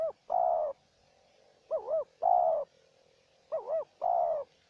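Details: Spotted dove in a calling duel with a decoy bird. Repeated phrases of a warbling two-note coo followed by a fuller, longer coo, about every one and a half to two seconds, over a faint steady hum.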